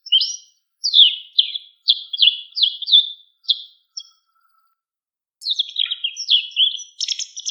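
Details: Wild White wagtail repeating short downslurred chirps about every half second, a pause of over a second, then a rapid warbling run of high notes, with a faint steady tone in the background.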